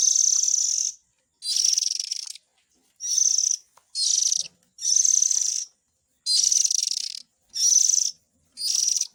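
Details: Lure recording of Oriental magpie-robin young, used to draw in the parent birds. Eight raspy, hoarse hissing bursts of roughly half a second to a second follow one another with brief pauses, on a quiet background.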